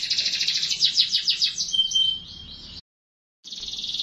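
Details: Canary singing a fast, buzzy rolling trill with a thin steady whistle running through it, then a short silent break before another even high trill.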